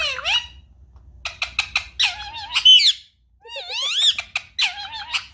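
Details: Indoor pet Indian ringneck parakeet encouraged to talk: short harsh bursts alternating with curving whistled notes and squawky chatter, a brief pause, then more rising whistles and clipped squawks.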